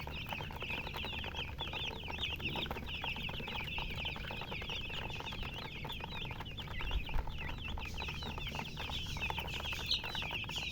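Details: Silly chirping from a group of chickens: clear, repeated high peeps, each short and slightly falling, tumbling over one another in a lively ongoing chorus for the whole stretch.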